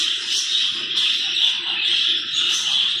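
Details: Many caged zebra finches in a breeding colony, shifted toward individual cages: an unbroken wall of high, overlapping chirps and nasal beeps, steady in loudness throughout with no pauses.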